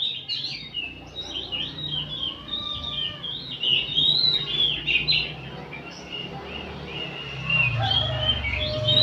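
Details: Several oriental magpie-robins singing together in the afternoon for training kept birds to fan their tails; a continuous stream of sweet, slurred whistles over a steady low background rumble that grows toward the end.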